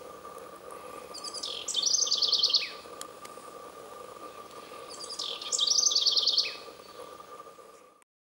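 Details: Eurasian wren singing in two separate bursts about four seconds apart, each a quick run of high, sharp, rattling trilled notes lasting under a second, with a faint constant hum behind.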